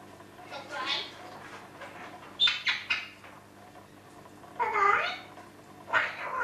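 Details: A female red Eclectus parrot mimics in bursts of talking-like chatter, saying "hello", with a few brief tonal, ringing notes imitating a phone between the phrases.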